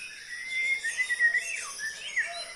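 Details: Clear, sustained whistled notes from a white-rumped shama, level and then dipping and rising in sweeping slurs, against a continuous high insect buzz.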